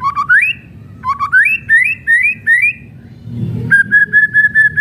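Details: White-rumped shama (murai batu) in kretekan song, used as a lure to provoke other shamas: clear whistled notes sliding upward in short rising phrases, then a run of about eight even, steady whistles at one pitch, with faint low background hum.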